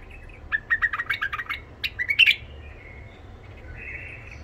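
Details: Tame white-eared bulbul from Iraq with a husky, golden-throated voice, used to tutor young bulbuls: a run of rapid, evenly spaced chirps speeding into a brief warbled flourish, followed by a soft trailing whistle.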